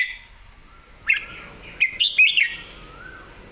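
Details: Lively Red-whiskered bulbul in full song: a few quick bright warbled notes bunched together, rising and dipping whistles, punctuated by sharp clicks, between quieter gaps.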